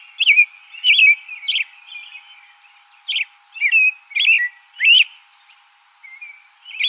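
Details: American robin (Turdus migratorius) song: short, clear whistled caroling phrases that rise and fall, sung in quick bursts with a brief pause midway, about eight phrases in all, over a faint steady high hum.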